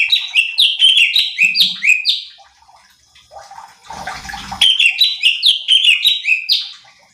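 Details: Cucak cungkok bulbul song used to train and stir up competition birds: two bursts of rapid, descending whistled notes repeated about twice a second, separated by a short quiet gap with a splashing, rustling noise.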